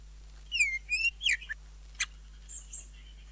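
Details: Greater green leafbird singing a full song with fillers and jamtrok style: a few loud, clear whistled notes swooping up and down, then a short gap, a sharp single note and a soft trill.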